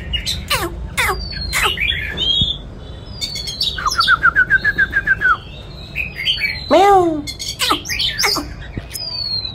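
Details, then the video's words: Oriental magpie-robin singing as it dances: sharp falling whistles, a fast even series of about a dozen clear notes, a deep swooping whistle, then twittering phrases. "choè than hót múa"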